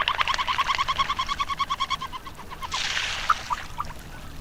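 Surf scoter giving a quick run of clipped, hollow notes for about two seconds, followed by a brief rushing burst and a few scattered notes.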